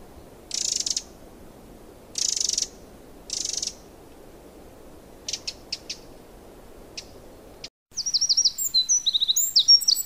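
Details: Wild Eurasian wren giving three harsh rattling calls and several short ticking notes over background hiss, then a cut to a high, rapid twittering song.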